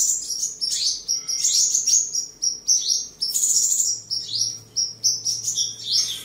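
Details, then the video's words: Captive Mrs. Gould's sunbird at home in Tân Phú, Đồng Nai, on 23 July 2022, singing, dancing and fighting: a fast, high, thin twittering song of sharp chips and tinkling trills in quick bursts, with a faint low hum. "Chim Hút Mật 7 Màu Thuần Ngày 23/7/2022 Hót"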